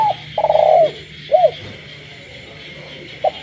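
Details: Captive spotted dove at night in a rural village gives a long wavering coo and a short arched note, with a short note at the end, while frogs call steadily in the background.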